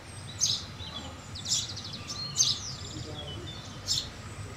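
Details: House sparrows near houses, giving short bright chirps in small clusters roughly every second, with steady low background noise throughout.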